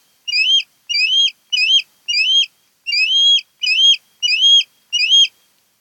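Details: Nesting osprey on Kent Island, Maryland, caught by a nest camera on 08-10-2018: a steady run of eight bright, slurred whistled chirps, spaced roughly every two thirds of a second.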